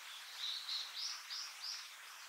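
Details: Blue-and-white flycatcher nestling after leaving the nest, giving five short, high, thin call notes at an even pace of roughly three per second, over faint background hiss.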